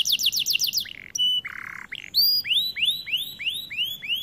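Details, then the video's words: White canary singing: a fast high trill of slanted notes, then a harsh buzzy block, then a series of rising whistled sweeps repeated about every third of a second. "White Canary Bird Singing | Sound of nature | Canary song"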